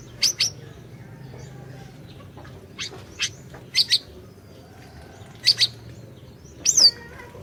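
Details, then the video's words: Orange-bellied leafbird in energetic song, meant to prompt a silent bird to sing: paired sharp high chirps with pauses between, ending with a louder rising-falling whistled note. "Masteran Burung Siri Siri Gacor, Cocok Buat Pancingan Burung Siri Siri Macet BUNYI"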